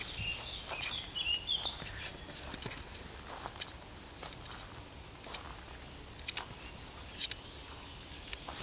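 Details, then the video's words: Yellowhammer singing at the edge of Kabaty forest: a thin, rapid series of high repeated notes ending in a long drawn-out whistle, with faint insect buzzing and rustling behind. "Trznadel śpiewa na skraju lasu Kabackiego"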